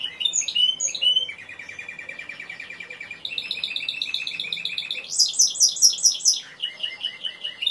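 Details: Singing Timbrado canary: sharp high flourishes, then a long even low trill, a mid-pitched rolling tour, and a loud high repeated phrase before softer rolled notes.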